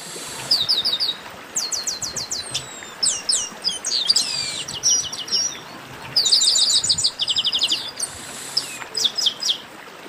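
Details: A baderna of chestnut-capped blackbirds, a lively group chorus: rapid series of high, clipped notes and twittering slurs, several birds calling at once in waves of activity.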